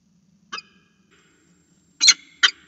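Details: Falcon at a nest on a camera ledge, calling to be fed: one short harsh note, then after a pause two loud, grating, broadband screeches in quick succession.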